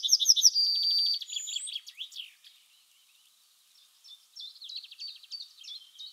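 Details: Yellowhammer singing a quick series of repeated high notes ending in a drawn-out flat whistle, followed by a short pause and then softer, scattered chirps from further away.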